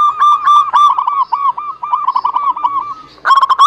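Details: Zebra dove song used as a lure for birds reluctant to sing: a long, steady string of rapid, hooked cooing notes, each ringing and slightly bent, ending in a louder overlapping burst.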